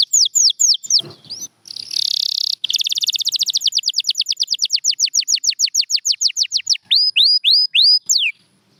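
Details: Champion canary in full song, mixing upslurred whistles with a brief buzzy roll, then a long, even trill of quick descending notes that slows into separate, louder downslurred whistles.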